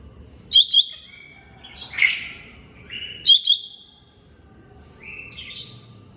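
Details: Song of a lesser green leafbird: bright doubled chirps alternating with sliding whistled phrases and a rough burst, delivered in varied bursts against a quiet background.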